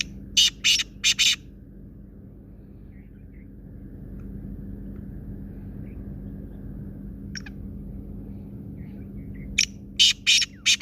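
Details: Black francolin giving two bursts of its harsh, grating call, each a rapid run of four or five loud rasping notes, separated by several seconds of quiet with a steady low hum.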